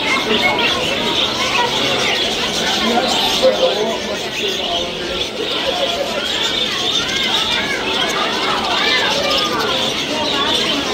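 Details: Parakeets being fed at the Indiana State Fair on 13 August 2024 keep up a dense, unbroken chatter of quick high chirps and warbles, mixed with the murmur of people talking nearby.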